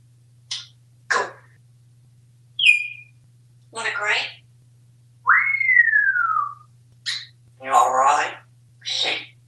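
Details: Pet African grey parrot, described as very talkative, kept indoors in a home in Texas. It gives short spoken-word bursts and a clear whistle that rises, then glides slowly down. No other sounds are heard.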